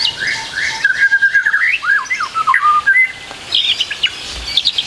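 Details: Varied song of a white-rumped shama, tutor material for young shamas: swooping whistled notes and slurred loops in quick succession, ending in short high chips.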